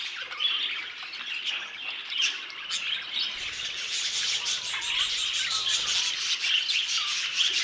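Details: Budgerigars in an aviary, a dense flock chorus of high chirps, squawks and warbled twitters overlapping continuously, with sharp clicks scattered throughout.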